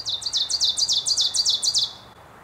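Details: An ovenbird in a backyard sings about ten high, emphatic chanted notes in quick paired phrases, holding strong to the end over two seconds, with faint background hiss.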